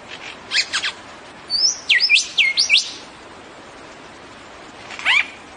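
Lyrebird song: a few quick chips, then a run of loud looping whistles that sweep up and down, ending with a lone falling note.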